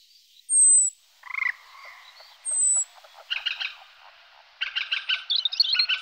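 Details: Common kingfisher pair choosing a nest site gives two piercing high whistles early on, while other birds add lower, buzzy, chattering notes through the rest of the recording.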